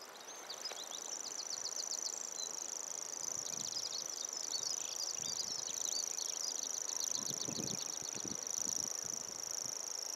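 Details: Sustained high-pitched reeling song of a common grasshopper warbler, an insect-like trill that never breaks across ten seconds, with short whistled notes from other birds and some low rumbles underneath.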